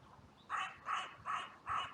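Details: Crows at a cemetery, filmed by trail camera on a sunny day with blue sky, amid an outcry after two crows fought briefly; four harsh, even caws spaced about a third of a second apart over quiet background.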